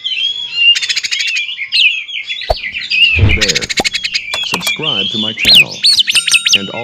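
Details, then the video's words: Lure song of an oriental magpie-robin for prompting other magpie-robins to sing. High whistles and fast rattling trills run throughout, while a lower harsh, chattering voice and a brief thud overlap the middle. "PANCINGAN KACER TERAMPUH DIDUNIA"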